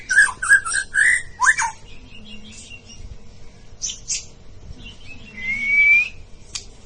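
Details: White-rumped shama of the bahorok type, competing toward a presidential cup; quick slurred whistles and a sharp upswept note, scattered high chips, then one long steady rising whistle, with a faint low hum beneath.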